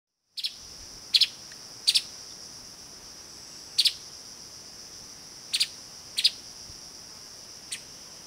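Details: A streaked spiderhunter (Arachnothera magna) in Kaeng Krachan National Park, Thailand, gives sharp, high chit notes, often doubled, every one to two seconds over a steady, high insect drone.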